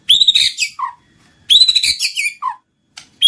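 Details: White-rumped shama, murai batu, lure song for triggering singing and mating: two dense high whistled bursts, each ending in a lower slurred note, with short silence between.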